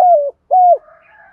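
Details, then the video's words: Spotted dove decoy bird giving its morning call: two smooth, mellow coos, the first sliding slightly downward, the second level, followed by a faint fading tail. "cu moi gay goi boi bvuoi sang sớm"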